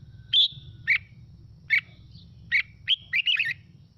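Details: Red-whiskered bulbul singing to provoke other birds into song: a high whistle, several spaced chirps, then a fast tumbling cluster of warbled notes at the end, with a low murmuring background.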